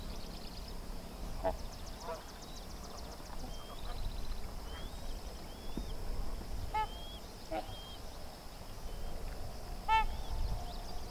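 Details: Sandhill crane colt with its parents along Sherburne Wildlife Drive; two short, clear, harmonic call notes sound about three seconds apart, over thin whistled songs of other birds and a steady low background rumble.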